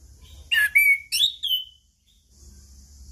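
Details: Lure song of a Chestnut-capped thrush for quiet birds: a quick burst of four loud whistled phrases, one long and gliding downward, then near silence with a faint hiss.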